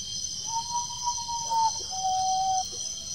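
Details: Common potoo singing at Guaraú, Peruíbe, São Paulo, Brazil, on 20 September 2018, with playback and lighting used: a long, steady, mournful whistle, then a shorter, lower whistled note, over a constant high insect drone.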